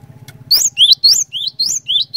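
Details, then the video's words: Cinereous tit in eager song, intended to prompt other cinereous tits to join in: a quiet humming start, then a rapid series of about seven loud alternating high and low whistled notes, slightly slurred, over a steady low drone. "PANCINGAN BURUNG GLATIK BATU GACOR INI ASLI BIKIN GLATIK BATU LAIN LANGSUNG IKUT BUNYI"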